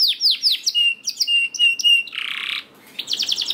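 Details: Lure recording of canary song meant to prompt reluctant canaries to sing: quick falling whistles, then steady flat piping notes repeated, a harsh buzzy trill, and closing rapid chirps, all bright and high.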